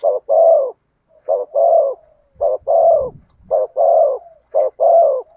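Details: Spotted dove singing in the thổ sấm style: loud, low, throaty coo phrases, each a short note followed by a longer swelling one, repeated about five times at steady intervals.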